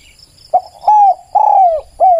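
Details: One clear cooing phrase from a spotted dove, kept for luring other doves: a short hoot, a long arched coo, a longer sliding coo and a closing downward note.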